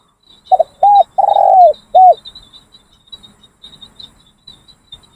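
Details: Training decoy Spotted Dove during a session: one clear cooing phrase right at the start, two quick hoots, a drawn-out descending coo and a last short hoot, then only a faint high insect hum.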